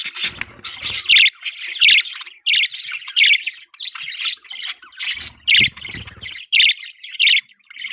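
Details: Pet budgerigar chirping: steady scratchy warbling with louder squeaky chirps recurring about every half to one second, and faint low background rumble.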